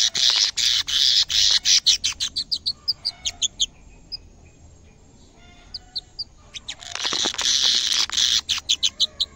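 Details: Caged canary singing energetically on first sight of a camera: a loud rolling trill breaks into rapid, regularly repeated chips that slow to sparse notes, then another long, loud trill with repeated chips.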